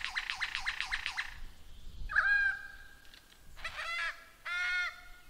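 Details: Lyrebird giving a rapid pulsing rattle, then a steady whistled tone and two nasal, honking buzzy bursts over a soft background hiss.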